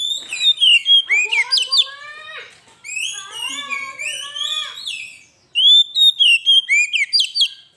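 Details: Oriental magpie-robin (kacer) lure master song: dense, varied whistles in three bursts, fast chopped notes, warbling slurred phrases with rich overtones, then rapid repeated sharp whistles, no other sounds.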